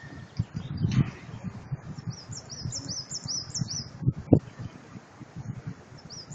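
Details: Spring birdsong in the hydropark of Zhytomyr, Ukraine: a quick series of about seven high, thin, rising-then-falling chirps in the middle of the recording and one more near the end, with thumps and rustling underneath.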